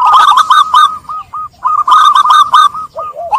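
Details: Lure recording of zebra dove song meant to restart cooing in stressed birds caught by trapping; dense bursts of staccato notes and bright coos, two loud phrases separated by a short drop.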